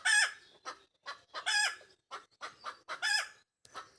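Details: Egg laying song from a backyard Pekin Bantam hen, quick staccato clucks alternating with long, strident, rasping cackles, roughly one loud squawk every one and a half seconds.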